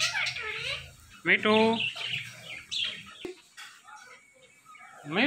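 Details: Talking ringneck parrot chatters in quick speech-like syllables, including one loud nasal harmonic word, amid softer scratchy chirps and squeaks, with a faint background hum.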